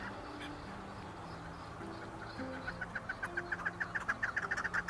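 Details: Chukar partridge: after a quiet start, rapid repeated chucking notes begin and grow louder, roughly three or four each second, over continuous background music.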